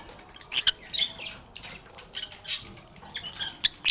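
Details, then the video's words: Lovebirds (Agapornis) calling while playing, with short, piercing squawks and clicks spaced apart by quiet gaps, ending in a sudden loud shriek. "Lovebirds agapornis sounds"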